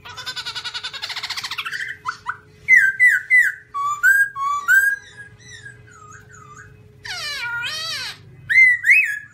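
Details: A white-cheeked black-throated laughingthrush (Garrulax chinensis) sings a long varied sequence: a fast trilling chatter, then loud looping whistles, a harsh rattling burst, and final ringing notes.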